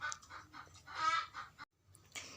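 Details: A hen in a garden cackles just after laying an egg, a run of harsh, nasal clucks rising to a loud drawn-out squawk; faint background noise.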